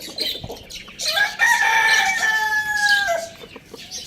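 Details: A pet rooster kept with hens, chicks and budgies gives one long, loud crow that swells after a brief lead-in, holds steady, then falls off at the end. Budgie chirps come before and after.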